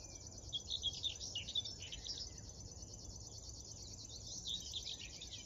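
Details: River warbler in the morning of 10 June 2022 by the Drentse Aa near Tynaarlo, the Netherlands: a high, dry, insect-like buzzing reel of rapid even pulses runs on without a break, while other birds add brief higher chirps and whistles.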